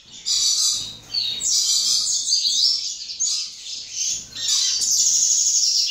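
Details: A young second-generation captive-bred double-collared seedeater sings a fast, high, jumbled twitter of chips and trills, almost without a break and with only two short pauses.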